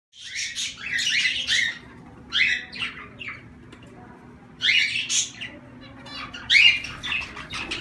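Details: Zebra finches giving nasal, buzzy calls in short bursts around two to eight kilohertz, with several grouped notes near the start and spaced clusters later, over a faint low hum.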